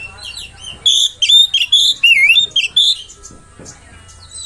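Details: Oriental magpie-robin song played to provoke other magpie-robins: a burst of loud, clear whistled phrases, sliding and warbling up and down, lasting about two seconds amid low background rumble.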